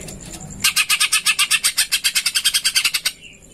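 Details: A greater green leafbird on a lure recording mixed with sparrow sounds gives a rapid, harsh chattering burst of about nine sharp notes per second for over two seconds, sparrow-like in tone.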